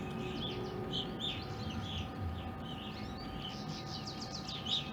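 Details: A flock of evening grosbeaks, uncommon in Ohio, in a backyard in April 2021 after wintering there since 2020, gives many overlapping short, clear chirping calls, with a steady mechanical hum and low rumble underneath.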